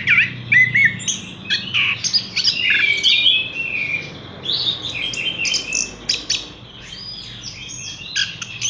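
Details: Caged Horsfield's bush lark singing a rich, varied song of fast chirps, short whistles and buzzy trills that jump between pitches with brief pauses, over a faint low background hum.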